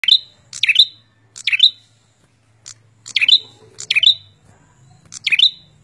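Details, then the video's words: A prinia sings loud, high, bright phrases: a dry click and then a ringing, swooping whistle, repeated about once a second, with a faint low hum underneath. "Suara Burung prenjak gacor"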